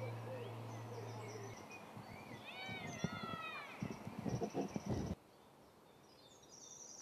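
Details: Eurasian sparrowhawk pair during a food pass gives a short burst of high, thin, arching wails over steady background noise with some low rumbling and knocks. Afterwards both sit together, the female eating while the male preens.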